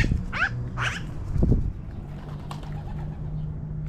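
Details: Magpies flying down from a tree give two quick harsh, rasping calls early on, each with stacked, buzzy overtones, over a steady low hum and rumble.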